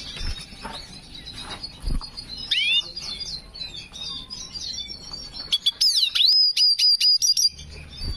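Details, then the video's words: Singing hooded siskin, in breeding condition, delivering a distinctive song: scattered soft slurred twitters and short upward-sweeping whistles, then a loud, rapid series of high wavering notes near the end. "Black Hooded Siskin Gacor Birahi Cengkok Unik"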